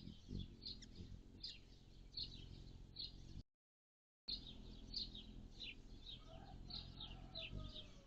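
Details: On June 7, 2022, with a 76F high and 51F low, a hummingbird gives a quick series of thin, high chips. A short silent break splits the series, and faint lower tones and background rumble sit beneath it.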